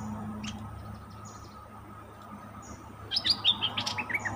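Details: Caged decoy bulbul taken into the forest to lure wild birds, recorded 08/08/2021; after a quiet stretch of low hum, a burst of loud, sharp, chirpy notes tumbles out in rapid uneven series from about three seconds on.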